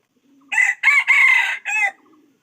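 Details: Red junglefowl crowing, a loud four-part call: a short opening note, two long strained syllables, then a brief falling final note, with soft low murmuring just before and after in an otherwise quiet setting.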